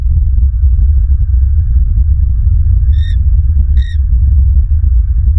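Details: Bald eagles at a nest in Southwest Florida, live nest camera, 23 December 2022 at 04:46: two brief, harmonic, chirping notes about a second apart, nearly buried under heavy, constant low wind rumble.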